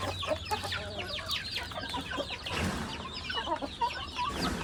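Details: A flock of chickens while feeding, many birds calling at once with quick high peeps, short clucks and scratchy notes, with a low hum early on and a brief rustling burst midway.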